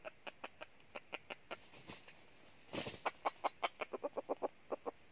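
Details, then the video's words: Red junglefowl clucking at a decoy trap for wild junglefowl in northern Vietnam: rapid, regular short clucks throughout, briefly covered by a rustling burst, then stronger and faster. "Bẫy Gà Rừng Gà Mồi Chơi Cánh Dụ Quá Hay"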